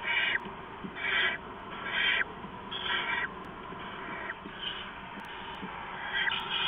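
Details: Owlets at a nest in the night of 15 November 2015 while an adult brings rats; loud rasping hisses repeated about once a second, fading later, then rising again at the end.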